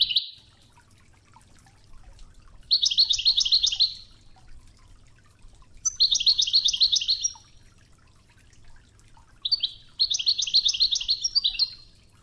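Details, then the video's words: European goldfinch, Wedani song style, original Toughza tape over river-water sounds: three similar bright, rapidly repeated twittering phrases, each about a second long, spaced roughly three seconds apart, with soft water murmur between. "الشريط الويداني الأصلي توغزة بنغمات خرير مياه الأنهار"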